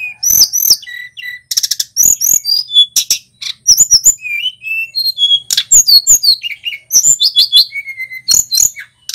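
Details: Male Tledekan Gunung, a local bird, sings a loud, energetic song with whistled and rolling phrases, used as a training recording for songbirds. It is a rapid mix of high sharp notes, downslurred whistles and chirpy trills with short pauses.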